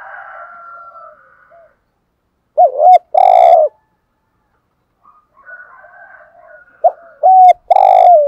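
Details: Caged decoy spotted dove cooing in a lure style to draw in wild doves: two low, hollow coo phrases of three or four notes each, a short lead note and then a longer, heavier one, with faint bird chatter between them.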